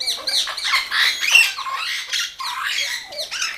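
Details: Orange-winged amazons kept in a bird garden in Hungary, bathing: loud, harsh squawks in rapid succession from several parrots, rough and overlapping throughout.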